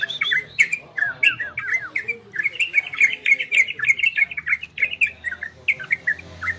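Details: Orange-spotted bulbul singing in the ropel and garudo styles: rapid bubbly chains of short warbled notes with rising and falling slurs, nearly continuous, with sharp clicking ticks scattered throughout.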